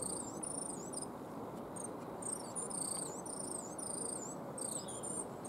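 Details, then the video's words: Coal tit in a yew tree in a Cambridge, UK garden, March 2015, making an unusual sound: thin, very high whistled notes in short runs and squiggles, repeated irregularly over a steady broadband rushing background. "what panicked all the bird, but the bird making that strange noise before was a coal tit in my yew tree. Then"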